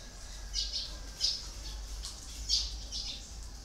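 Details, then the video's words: Red-whiskered bulbul decoy bird used for luring wild birds, giving short harsh squawking notes in small bursts roughly every half second to second, with a steady faint hiss behind. "CHÀO Mào MỒI"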